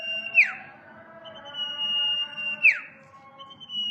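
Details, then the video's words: Common iora, known locally as sirpu or cipou, singing vigorously: a long, steady, drawn-out whistle ending in a sharp downward sweep, the phrase repeated about every two seconds. "Burung sirpu atau burung cipou gacor"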